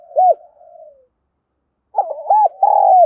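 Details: Spotted dove calling coo for training decoy birds. A single arched hoot with a soft trailing murmur, then a pause, then a rapid series of arched hoots ending in a long, falling coo.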